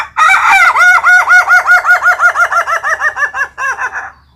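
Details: Laughing chicken (ayam ketawa) from Meulaboh, owner's own bird, giving its ngokok laughing crow: a close, loud run of about nineteen short, bouncing, even notes at roughly three per second, tailing off near the end.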